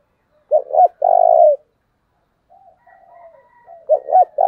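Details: Decoy spotted dove calling to draw in wild birds: a phrase of two quick coos and one long vibrating coo, a pause with faint soft murmuring, then the phrase starts again.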